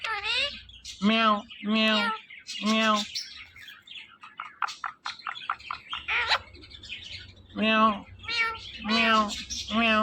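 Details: Pet Indian ringneck parakeet talking: harmonic, voice-like syllables repeated in short bursts, meow-like mimicry, with a quick series of clicking chirps in between and a human voice answering nearby.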